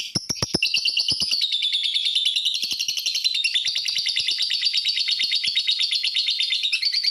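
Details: Lovebird calling to provoke other lovebirds into calling: a loud, continuous, fast, buzzy chattering trill that runs without a break, opening with a few sharp clicks.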